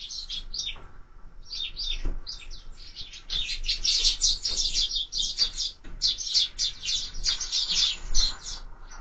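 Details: Sparrows at a bird feeder, recorded by a bird camera; scattered chirps at first build into a rapid, nearly unbroken chatter of bright, repeated notes.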